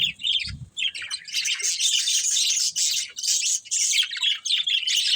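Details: A group of budgerigars at play, giving a near-continuous scratchy warble of high chirps and squawks, opening with a couple of low bumps before the chatter thickens.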